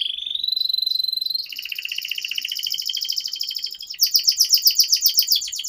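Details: Canary singing a long 'gacor' song to stimulate young canaries: a pure steady whistle, then a buzzy rolling trill, then bright, rhythmic chirps repeated about four per second.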